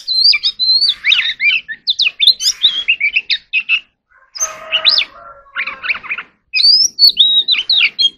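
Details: Oriental magpie-robin practising its song: a fast run of bright whistled notes, slurred up and down, with rasping chatters and short pauses, one steady lower tone held briefly midway.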